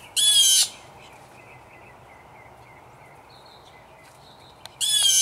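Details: Blue jay, one of 3 to 5 in a territorial battle in a yard tree, gives two loud, harsh, rasping screams about four seconds apart, while faint, thin notes from other birds carry on quietly in between.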